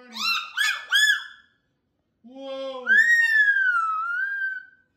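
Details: Cockatoo calling while playing with its owner indoors, hopping around; a few short harsh squawks followed by a long, slightly falling screech, with a person talking softly nearby.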